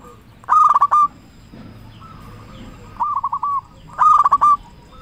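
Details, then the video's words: Zebra dove with a big voice, a local bird kept as a lure to get others singing: three loud choppy coo phrases, the first two separated by a quieter spell of level notes, with faint background rustle. "Perkutut lokal gacor suara besar cocok untuk pancingan burung perkutut supaya bunyi"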